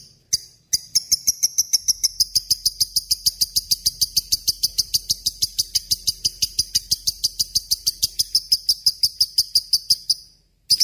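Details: Lovebird in a long ngekek, captured as a master recording for training murai and kacer: after a brief opening note, a rapid, sustained chatter of high, bright notes lasts about nine seconds, then stops abruptly.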